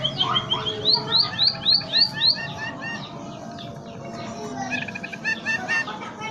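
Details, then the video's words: Munia (emprit) in a cage, its song described as having zebra dove and canary flavour: a quick burst of bright rising high chirps, then quieter mixed twittering and broken notes over a low background hum. "Burung emprit citarasa PERKUTUT & KENARI."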